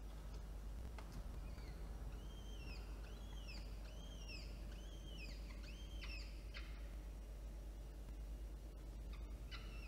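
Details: Begging peregrine falcon chicks, an older and a younger, fed by an adult at Orange, New South Wales, Australia, 9 October 2022: a rapid series of arched, downslurred whistled squeals, then brief clicks and a final call, with constant low rumble.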